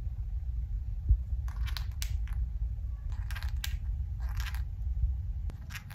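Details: A pet conure grinds its beak in four short, dry, scratchy bursts about a second apart, over a low steady indoor rumble. Conures do this while eating or drifting off to sleep, and it signals they feel comfortable, relaxed, safe and happy.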